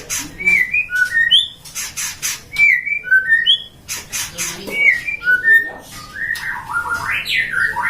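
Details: Captive-bred white-rumped shama from a hobbyist's breeding farm in Depok, singing loudly: varied clear whistled phrases, slurred notes rising and falling, mixed with sharp bursts and a rising rapid warble near the end, amid indoor noise.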